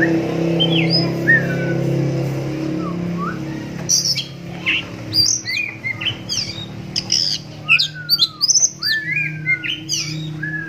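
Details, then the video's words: A one-eyed captive oriental magpie-robin sings so that other magpie-robins answer. Sparse whistled slurs give way to a lively run of sharp clicks, high piercing notes and sweet descending whistles, with a low hum beneath. "Suaranya Mampu Bikin Kacer Lain Langsung Nyahut"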